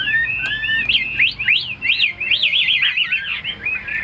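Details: Tame caged Chinese hwamei pouring out rapid rising-and-falling whistled phrases, sharp upslurs and zigzag warbles strung together without pause over a low steady hum.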